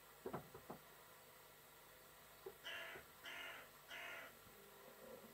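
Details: A carrion crow knocks on a balcony door on the morning of Whit Monday 2017, waking the residents. A few sharp taps come first, then three hoarse, drawn-out caws about half a second apart.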